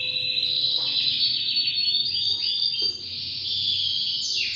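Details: Half frill male Spanish Timbrado canary, two years old, delivers an unbroken loud high rolling trill lasting several seconds with slight wavering in pitch, ending in a brief downward slur.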